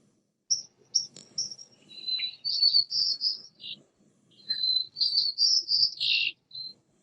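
White-crowned sparrow song given twice: clear high whistles leading into buzzy, trilled notes, high-pitched and spanning a broad range. A low room hum sits beneath.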